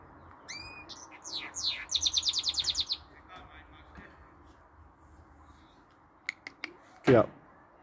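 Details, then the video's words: Goldfinch mule, a hybrid with canary notes that sings all day long: a short phrase of whistles and fast buzzy trills, then near silence with a few clicks and a harsh squawk-like noise. "goldfinch mule some canary note sings allday long"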